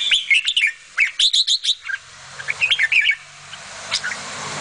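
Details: Mother bulbul feeding her babies: a run of sharp, rapid chirps, then softer twittering notes fading into background hiss and faint low rumble.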